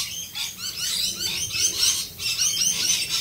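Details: A dense, unbroken chorus of rainbow lorikeets screeching and chattering in the rain in Australia, many overlapping shrill notes, with rain hiss underneath.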